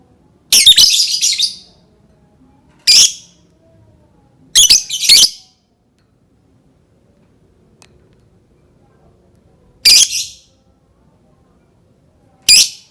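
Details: Lovebird sounds intended to prompt other lovebirds to sing: scattered bursts of harsh chattering squawks separated by long silent gaps.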